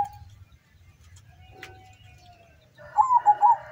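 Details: Local zebra dove from the slopes of Mount Sumbing, Windusari, Magelang, performing at a bird-singing contest on a field in Sukorejo, Suruh, Semarang regency, Central Java, Indonesia: a short mellow cooing phrase of wavering notes near the end, after quiet hum and a faint whistle.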